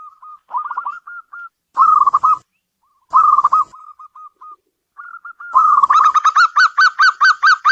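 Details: Local zebra dove heard indoors: soft cooing notes and rolling trills in separate phrases, building into a rapid string of louder pulsed notes at the close.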